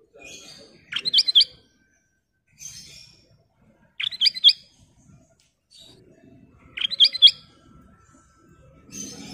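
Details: Ruby-throated bulbul (kutilang emas) singing steadily, repeating a bubbly phrase of sharp rising and looping notes roughly every three seconds, three phrases in all, with soft high chatter between.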